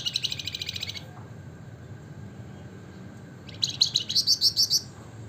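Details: Javan fulvetta, locally called flamboyan or wergan jawa, singing in the gacor ngebren nyiul style: a fast, buzzy, high chattering trill for one second, a pause, then a second burst ending in bright, sharp repeated notes.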